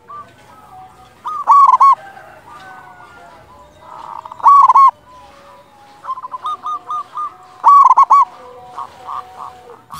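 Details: Big-voiced local Zebra Dove used as a lure for other doves: three loud rolling coo phrases about three seconds apart, with a run of quicker, softer coo notes before the last.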